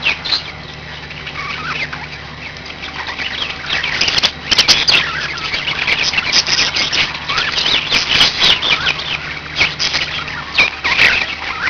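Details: Pet budgerigars warble and chirp, quiet at first and then swelling into continuous squeaky chatter with scattered sharp clicks. A low electrical hum runs beneath.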